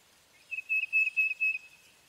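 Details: Tufted titmouse giving a clear whistled series of about four notes on an even high pitch, run closely together over about a second, with faint background hiss.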